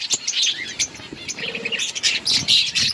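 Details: Short burst of budgie colony chatter outdoors: quick high chirps and scratchy warbles from several birds overlapping.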